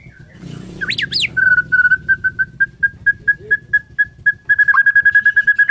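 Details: In the morning a Bornean white-rumped shama gives two sharp rising whistles, then a long string of identical short whistled pips, quickening near the end over a low background hum.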